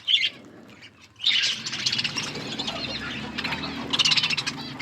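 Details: Budgies eating in a flock: a sharp chirp burst, a second of near quiet, then continuous high twittering chatter from many birds that swells again at the end.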